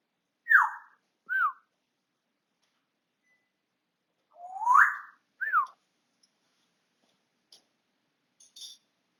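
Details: Pet African grey parrot whistling indoors on 20 August 2022: four short clear whistles, two pairs a few seconds apart, the first of each pair rising and the second falling, then faint clicks.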